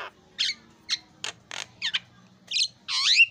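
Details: Javan myna (jalak kebo) singing actively in isian style, linked to the takbiran drum: a series of separate harsh, noisy bursts about half a second apart, some chattering, ending in a longer buzzy, swooping note; no other clear sounds.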